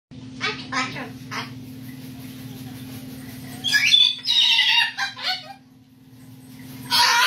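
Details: A pet cockatoo, seemingly arguing with its owner, lets out harsh, grating screeches in two loud bursts in answer to a few short spoken words, over a steady low hum.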